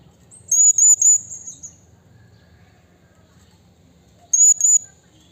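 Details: High, clear whistled notes from a wild blue-crowned hanging parrot calling a rival, three in a quick run, a long silence, then two more.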